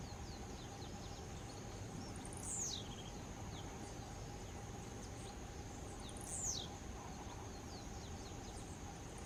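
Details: Song of a blue-black grassquit: a pair of quick, very high downward-sliding notes about four seconds apart, with a continuous thin whine and low environmental noise throughout.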